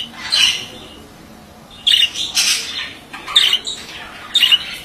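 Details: Male budgie producing short scratchy chatter bursts with squeaky whistled notes, spaced by quiet gaps of about a second, soft background hiss.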